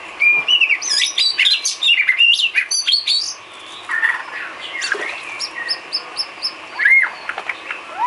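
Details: Filler song of the white-rumped shama for cage bird training: loud jumbled whistles and chatter, then quieter high repeated ticks and a final rising whistle.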